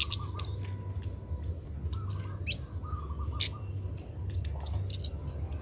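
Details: A young Oriental magpie-robin being trained to sing gives a loose series of high, clipped chirps and short rising whistles, irregular and halting, above a continuous low background hum.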